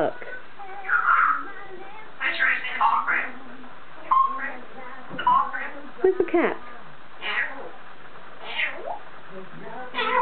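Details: Male pet African grey parrot talking while out on top of its cage, uttering word-like bursts and short sliding whistled notes, with a person's voice chatting nearby in a small room.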